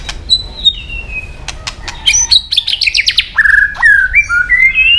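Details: White-rumped shama, competition song with tail flicking: long descending whistle, clicks, a fast buzzy rattle of high notes, then rising stepped whistled phrases repeated several times.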